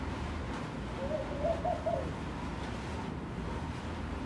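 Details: Soft low bubbling coo of a laughing dove visiting a room window, a single phrase of about four quick rolling notes, followed by quiet steady background hum.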